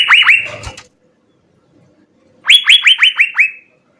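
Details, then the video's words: Blue-winged leafbird in a 'gacor' song. It gives two short bursts of rapid, clipped down-slurred notes, about five to six notes each, separated by a silent gap. "Hargacor suara 6 CUCAK BIRU GACOR full isian SI BURUNG SURGA"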